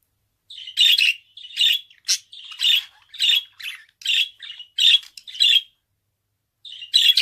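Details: Budgerigar song: a steady series of short raspy squawks, roughly one every half second, then a silent gap before a final burst.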